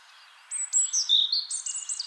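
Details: European robin singing in spring: thin, high whistled notes and sliding trills, starting after a brief pause, with fast twittering phrases climbing to very high pitch near the end.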